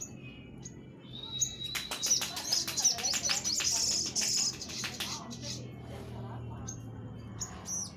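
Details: Orange-headed thrush (sogok ontong), a tutoring recording for testing other birds: a run of rapid, high, trilled and twittering notes over a steady whistled tone, broken by sharp clicks, then scattered short chirps, with faint voices behind.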